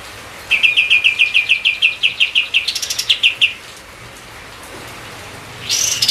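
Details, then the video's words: Singing White-eye whose song serves to train other songbirds: a long, quick run of about fifteen even chirps, a brief rapid trill, then a pause and a short burst of noise. "burung katem kapas tembak gacor"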